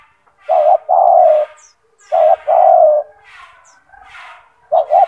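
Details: Loud spotted dove song from a kept bird offered as a master for training other doves. Regular phrases of two short hollow coos and a longer coo repeat about every 1.6 seconds, with soft rustle and distant high chirps.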